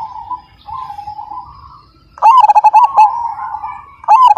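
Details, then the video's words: Majapahit zebra dove in full, big-voiced 'kung' song: a near, powerful run of quick, pulsing coos after a softer stretch, then a fresh phrase. Other doves coo continuously further off. "Perkutut Majapahit Gacor Dan Ganteng, Suara Besar,Super Kung"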